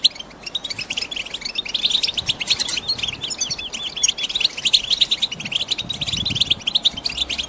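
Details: Chatter of caged female European goldfinches, used to stimulate a male to sing and ready him for breeding season. Rapid, tinkling high twitters build after a quieter start into a steady, busy chorus.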